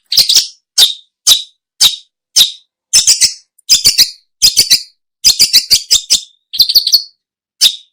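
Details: Long-tailed shrike, recorded as a lure for catching birds: loud, harsh, scratchy notes given singly and then in quick doubled and tripled bursts, repeated about every half second, in a clean recording.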